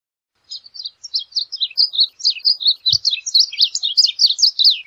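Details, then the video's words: A Varied Bunting (Passerina versicolor) sings a rapid, continuous warble of high, slurred notes, running unbroken for over four seconds with a faint low thump midway. "Varied Bunting Song! Varied Bunting Call, Sound, Chirp - Colorín Oscuro Canto - Passerina Versicolor"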